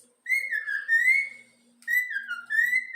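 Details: Two sustained, wavering whistles from a young yellow-cheeked pet cockatiel singing the Flamengo anthem, each held about a second and a half, dipping then rising again, over a faint low hum.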